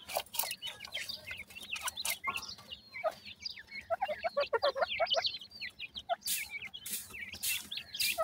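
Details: Grey francolin chicks feeding, with loud bursts of squeaky, slurred peeps clustered in the middle and repeated sharp clicking strikes at the start and end.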